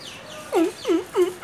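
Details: Coucal calling at a residence in Mulund: three loud, deep, hollow hooting notes repeated about every third of a second, each swooping down then slightly up, over a quiet background.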